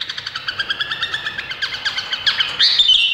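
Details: Rapid run of short chirping notes from an Indonesian bulbul, about three per second, uneven in rhythm and building into a louder, harsher burst near the end.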